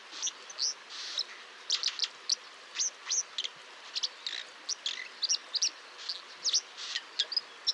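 A White-throated Dipper gives a rapid, uneven run of sharp, high chirps and zits over a steady rushing hiss, probably running water.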